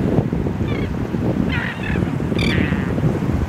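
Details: Terns at a beach hammock near Tybee Island on April 15, 2024: three short bursts of harsh, buzzy, slightly nasal calls spaced about a second apart, heard over strong, steady wind noise.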